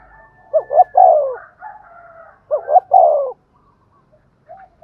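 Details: Spotted dove singing the Thúc Gù coo pattern as a lure for wild doves. Two phrases, each two short rising hoots and a long descending coo, over a faint steady tone, then quiet soft notes.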